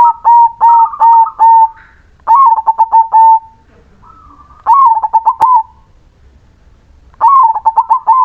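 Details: Zebra dove song, described as melodious, from a crossbred bird: repeated bursts of rapid, stuttering coos around one pitch, each phrase about a second long, separated by short pauses, with a faint sharp click near the middle.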